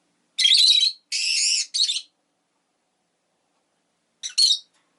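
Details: Harsh, drawn-out screechy chirps from a rosy-faced lovebird, three in a quick burst, then a pause of two seconds before a short double chirp.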